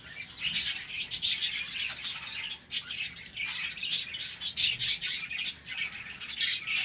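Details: A budgerigar colony in a breeding setup, active and playing in the morning, fills the air with unbroken high-pitched twittering, rapid clicks and squeaky chirps from many birds at once.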